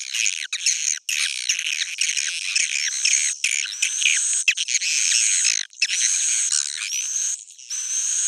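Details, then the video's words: Swiftlet twittering in a continuous high-pitched chatter of squeaky, overlapping chirps, broken by a few short silences. "swallow's original sound"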